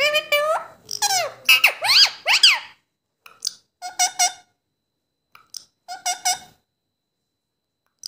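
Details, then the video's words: A talking pet parrot asking for roti utters a quick string of arched, squealing speech-like syllables, then after a pause gives clipped, buzzy double and triple bursts separated by silence in a quiet room. "Bolne wala tota"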